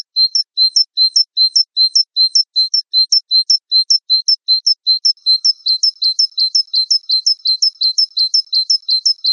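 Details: Gelatik wingko masteran: a long, steady stream of high two-note whistles, a short upper note paired with a lower flat one, repeated about two to three times a second and speeding up toward the end.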